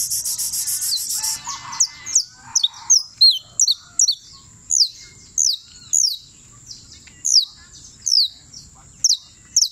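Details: After a burst of rough scratching noise, a champion canario criollo from Turbo, Antioquia, sings crisp high descending notes, spaced about one per second, clear against a quiet background.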